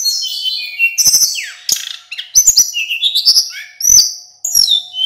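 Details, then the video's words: Male Hill Blue Flycatcher, a local bird in full song for training other birds: sweet whistles rising and falling, a downward sweep, then strong held notes, with sharp clicking bursts between phrases. "Burung sulingan gunung lokal full gacor"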